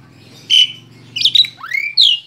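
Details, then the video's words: Tame Asian pied starling giving a short burst of song: a clear high note, a stuttering chatter, then rising and falling slurred whistles, with a low mechanical hum in the background. "Kicau burung jalak suren jinak total"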